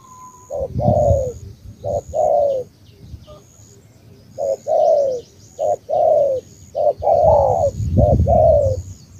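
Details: Spotted dove from Cà Mau, delivering a series of mellow two-note coos, each a clipped lead note and a drawn-out falling coo, with a pause mid-series. Low rumbling noise and faint high chirps accompany.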